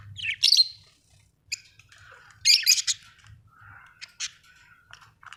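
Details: Budgerigar chirping: quick high, raspy chirps and chattering warble bursts, some rising into bright squeaks, interspersed with a few short whistled notes, over a faint low background hum.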